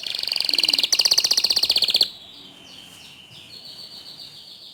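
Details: Canary song used as a training recording to prompt other canaries to sing: a fast run of loud, rapid trills near the top of the range for two seconds, then quieter thin whistles and faint background hiss.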